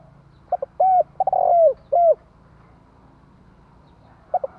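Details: Decoy spotted dove giving one cooing phrase: opening notes, a mellow coo, a stuttered run into a long falling coo, and a short final coo, then quiet with low hum before the next phrase starts.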